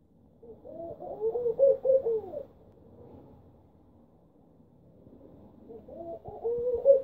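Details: Laughing dove in central Istanbul, a tame newcomer that replaced the shy older Turkish dove, giving soft, low, bubbling coos in a rolling phrase, then a second similar phrase after a quiet gap.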